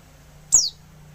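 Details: Female oriental white-eye calling to provoke silent or lazy males into singing: a single thin, high, sharply falling whistle over a faint low hum.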